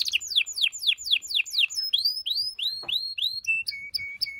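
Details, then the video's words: Strong canary song meant to stimulate mating, a string of falling swept notes turning into rising upward slurs, ending on repeated short steady whistled tones. "غناء طائر الكناري لتحفيز و تحضير الاناث و الذكور للتزاوج و تغريد المستمر"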